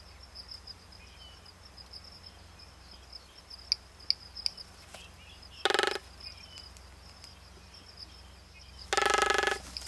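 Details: Magnificent frigatebird on North Seymour, Galápagos, Ecuador, in May: two short, harsh, rasping calls several seconds apart, over a steady high insect drone and a few faint chirps.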